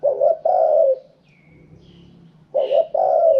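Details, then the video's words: Spotted dove, 'karom pa' wild song style: two back-to-back phrases, each two brief low notes then a drawn-out falling coo, separated by about a second and a half of quiet, with a faint higher chirp. "เสียงนกเขาใหญ่ คารมป่า 100"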